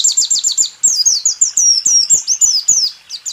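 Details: White-eye singing 'rool tembak', recorded in 2023 to train caged songbirds: a steady stream of rapid, high descending chirps, roughly four per second.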